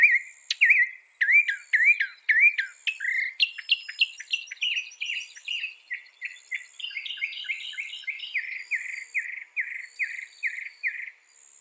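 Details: Northern mockingbird singing a long varied sequence: repeated upslurred whistles, a run of short rising notes, then steady fast series of harsh buzzy notes, each phrase repeated several times.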